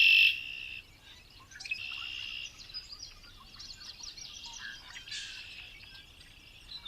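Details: Red-winged Blackbird song as an example of signal degradation: a few sharp opening notes, then buzzy trills of one pitch repeated very rapidly, heard several times and growing fainter and blurrier, since trills degrade fast over distance.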